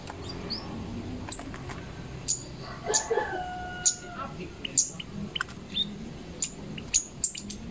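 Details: Singing zitting cisticola: piercing high single notes spaced about a second apart through the stretch, while a rooster crows and people talk nearby.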